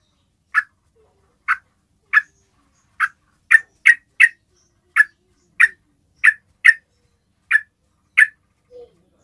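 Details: Basic calling sound of the Yellow-vented bulbul, used to bring other bulbuls in: a steady series of about thirteen short, bright chips, occasionally doubled, with a faint low note at the end.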